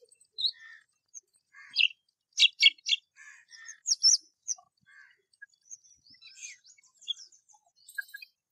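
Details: Rose-ringed parakeet (Psittacula krameri) calling: a quick run of three harsh, broadband shrieks near the middle, amid scattered high, thin chirps and short whistled notes.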